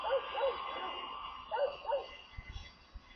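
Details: Young storks in a Kaluga Oblast nest, Russia, 28 July, as water is delivered: clear mewing calls, each curving up then down, sound in pairs, with faint low thumps afterward.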